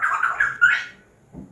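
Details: Pet African grey parrot chatting with its owner, giving a short rough squawky utterance with a bright rising note near the end, followed by a faint low sound; the owner speaks affectionately just before and after.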